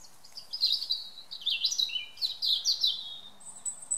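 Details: Garden-recorded European robin in evening song, a continuous rippling run of high sweet notes that swoop up and down, ending on a thin sustained whistle.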